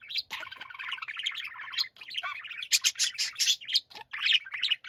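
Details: Pet budgerigars warbling together in a dense chorus of chattering, squeaky twitters, with scratchy bursts and bright chirps overlapping throughout.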